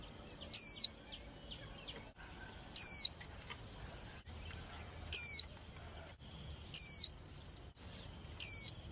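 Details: Young female white-eye, a bird used to fire up males for singing contests, sounding five sharp high whistles that slide downward, spaced about two seconds apart, over a constant faint high background tone.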